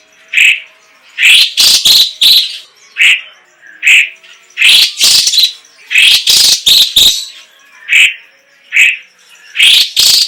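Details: Song of a Chinese leafbird (cucak ijo cina, cucak cungkok) in full voice: loud, bright chirps and squeaky warbled notes. Single notes alternate with tight clusters of three or four, each cluster followed by short silences.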